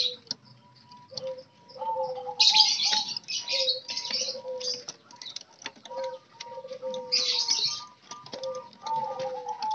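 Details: Wild-caught spotted doves kept caged together, cared for daily so they become vocal: gentle descending coos repeated at intervals, alongside bursts of loud high-pitched chirping and twittering from other birds in the room.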